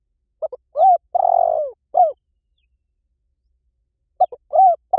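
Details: Spotted dove decoy call: short double note, a coo, a long trembling coo descending, then a falling coo, followed after a two-second pause by the opening of the next phrase.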